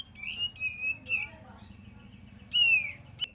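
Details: Cream-vented bulbul used as a lure: steady, slightly wavering whistled notes, a quiet pause, then one louder drawn-out falling whistle and a short final note.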